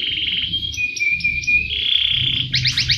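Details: Singing canary used as master song to trigger singing: a series of high, sustained whistled tones that shift up and down in pitch, ending in a quick burst of rising, slurred notes over a low hum.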